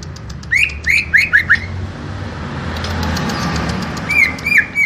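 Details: A small-bodied Greater Green Leafbird gives a quick run of five clear, upslurred whistles, a burst of thin high chips, then more rising whistled notes over low background hum.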